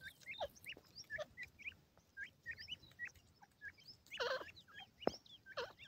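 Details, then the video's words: Several partridge chicks squabbling over food give thin, quickly rising whistled peeps in uneven bursts, with a rustling scuffle near the end and a sharp knock. "pheasant chicks fight over food,teetar bhora ho gia ha,awaz partridge"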